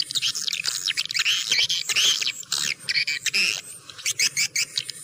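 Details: High swiftlet twittering, described as clear, in quick overlapping bursts with some rising chirps, thinning into separate short notes toward the end.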